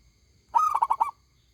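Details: A single loud coo phrase from a local zebra dove: a clear opening note running into four quick throbbing pulses, ringing and full-voiced.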